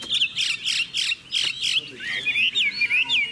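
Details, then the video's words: Chinese hwamei song: several loud, harsh, scratchy bursts, then looping whistled phrases that rise and fall. "Họa mi chuẩn mẫu chim hót - Hót hay dáng đẹp"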